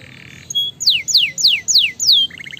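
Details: Canary singing to stimulate other canaries: five loud, clear downslurred whistles falling from high to mid pitch, evenly spaced about a third of a second apart, ending in a short burst of quick notes.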